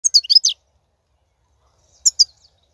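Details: Wild European goldfinch song recorded in 2019, used to motivate caged birds to sing: two short bursts of bright, high twittering notes separated by a long silence.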